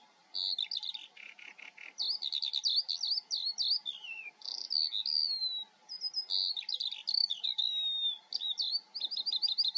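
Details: Eurasian skylark singing in the Eifel region of Germany: a continuous, high, rapid warbling stream of trills, chirrups and slurred whistles with brief pauses, plus a faint low steady hum underneath.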